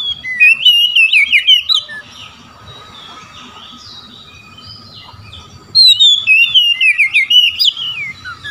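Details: Oriental magpie-robins trading song, one calling rivals in 'ngeplong' style and another answering. Two bursts of loud, rapid, rolling whistles with steep up-and-down slurs are separated by several seconds of faint, distant warbling.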